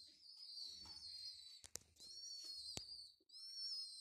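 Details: An orphaned young homing pigeon, rescued from a mosque minaret and being hand-fed, gives a thin, high, wheezy whistling squeal held almost without pause, broken by a few sharp clicks and handling knocks.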